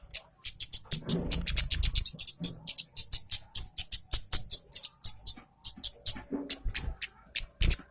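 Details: Orange-headed thrush in full, energetic song, used as a lure to stir lazy orange-headed thrushes into singing. Rapid, bright, high-pitched notes are repeated in a dense, chattering stream, with occasional low thumps and faint murmuring underneath.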